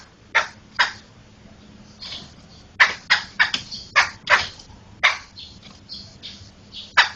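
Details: Laughingthrush (poksay) in a tutor recording for training other songbirds: a series of loud, harsh, broadband chattering bursts at uneven intervals, some in quick pairs, over a faint steady low hum.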